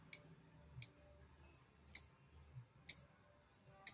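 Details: Lovebird "ngetik" ticking: single sharp, high, downslurred clicks about once a second, five in four seconds, with near silence between.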